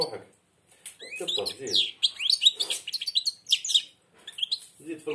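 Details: A European goldfinch, blind, sings with its beak almost shut. It gives dense, jangling twitters and rising buzzy notes between stretches of a man talking encouragingly at the start and end.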